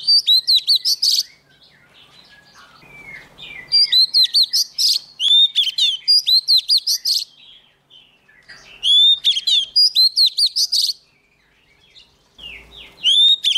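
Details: A young Oriental magpie-robin sings hard when a wild bird draws close. Energetic phrases of clear whistles and crisp chirps repeat in several bursts separated by quiet gaps with faint background rustling.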